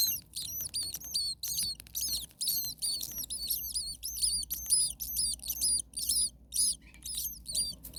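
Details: Common starling baby birds in a very hot nest keep up a loud, continuous chorus of high, rasping, squeaky calls in rapid overlapping bursts, with a faint low hum underneath.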